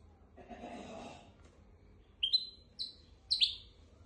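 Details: Goldfinch-canary hybrid used to teach goldfinches and canaries: after a soft rustling noise, three crisp rising chirps follow about half a second apart.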